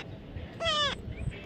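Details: Baby parrot gives one nasal, slightly rising-then-falling squawk lasting about a third of a second, with human voices around it.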